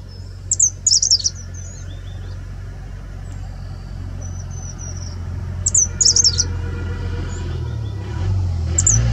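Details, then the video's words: A grey-sided bush warbler sings in mid-October, surprisingly late in the season, in India: short, very high, thin chipping phrases, repeated twice about five seconds apart, with softer notes between, over a steady low rumble. "Grey sided Bush Warbler singing"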